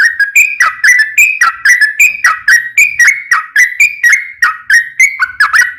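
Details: Sooty-headed bulbul giving a 'ropel panjang' long rapid song, played as a lure so other bulbuls answer: loud whistled phrases that dip and rise, repeated steadily in a brisk, even series.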